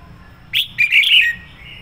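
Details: Single phrase from a decoy red-whiskered bulbul singing fired-up 'sổ bọng' style: a sharp high note followed by a rolling, warbled whistle that fades smoothly.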